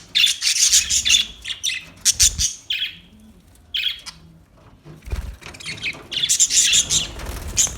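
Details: Budgerigar chirping: bursts of high, scratchy chirps and squawky notes in quick irregular runs, with a short pause midway before the chattering resumes.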